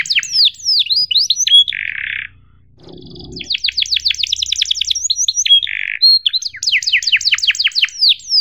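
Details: Canary singing at length as a tutor for young canaries, cuit-cuit emosi style: swooping whistles, a harsh buzzy burst, a brief low rasp, then long rapid trills and sharply slurred chirps.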